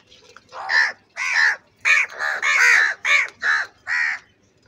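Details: Loud angry crow calling in a rapid series of seven harsh, rasping caws, some run together, filling nearly the whole stretch.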